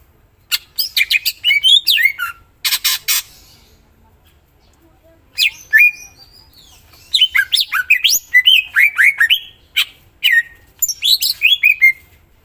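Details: Greater green leafbird in long full song, with fast strings of sharp chips, rattles and twisting whistled slurs, broken by one pause of a few seconds.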